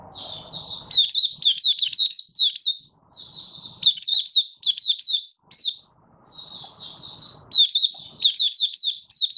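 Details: Oriental white-eye (Malaysian mata puteh), caged hobby bird out of form, pours out dense rapid high twittering phrases, each about a second long, with brief pauses between; quiet background otherwise.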